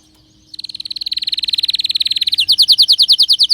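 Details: Excited canary: a fast even trill of repeated notes building in volume, then switching to louder, slower descending sweeps repeated about five times a second.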